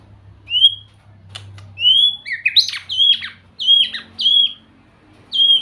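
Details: White-rumped shama sings clear upward-sliding whistles, each followed by slurred, buzzy flourishes. The phrases repeat at roughly one-second intervals over a low background hum.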